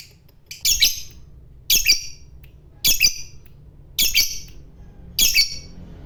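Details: Fighter lovebird, kept for its ngekek song, here giving harsh, scratchy squawks, five of them spaced about one second apart, with near silence between.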